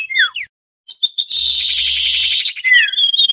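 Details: Busy common iora lure calls for drawing wild birds down to a trap. Two quick falling chirps, a short silence, then a sustained harsh, buzzy high trill that ends in a clear whistle with a downward-slurred note.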